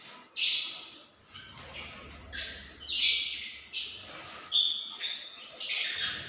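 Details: Nest-building lovebirds preparing to lay eggs, kept indoors; short shrill squawks and chirps come in quick irregular bursts, with a faint low hum beneath.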